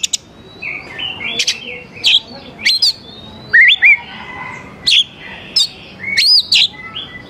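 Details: Oriental magpie-robin song, played to make young wild birds answer and sing; spaced bursts of piercing whistles and harsh upward sweeps, a few every second, with quieter trills between them.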